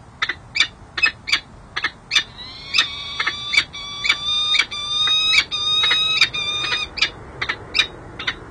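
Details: Female peregrine falcon courting her mate on a San Jose City Hall ledge, January 13, 2024: sharp chips, then a long drawn, nasal, wavering wail held several seconds before clipped chips return.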